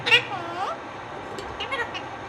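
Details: Talking Indian ringneck parakeet gives a quick, shrill spoken-sounding phrase, then softer, fainter syllables, over a steady low background hum.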